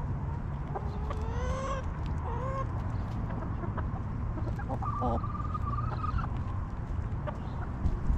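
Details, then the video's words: Backyard homestead hens relaxing in their coop give drawn-out harmonic calls, including a long, level, wavering cluck, mixed with short clicks and a constant low background rumble. "Hens Clucking!"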